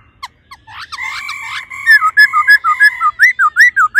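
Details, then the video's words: ["A female laughingthrush's 'ro ro' calls, meant to stir the male, start with a few faint notes. They build into a steady run of rising and falling whistled notes, repeated quickly and evenly."] "khướu mái ro ro kích trống nhanh căng lửa"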